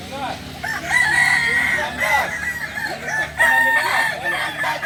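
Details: Kokok balenggek roosters at a joint practice session in Solok, several birds crowing at once, with two clear held notes, one early and one later, rising above a churning mass of shorter crows.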